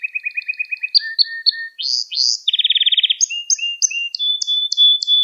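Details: Singing canary in a tutoring recording for young birds: varied phrases of repeated high chirps, slurred notes, a dense rapid rattle trill, then spaced whistled notes ending in a thin steady tone.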